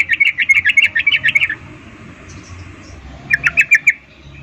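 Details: Female sooty-headed bulbul calling to males in breeding condition, a rapid chattering 'ngecuplik' call: a burst of about a dozen quick chips near the same pitch, a pause, then a shorter run of five chips.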